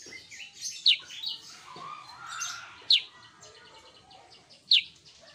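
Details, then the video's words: Sooty-headed bulbul singing actively: sharp descending high notes about every two seconds over softer chattering and a few lower whistled phrases in between. "Burung Kutilang Sutra Gacor‼️"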